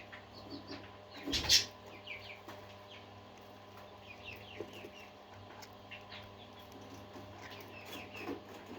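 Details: Budgerigars, a flock of parakeets, singing: many overlapping short high chirps and warbled notes, with one loud scratchy burst near the start over a steady low electrical hum.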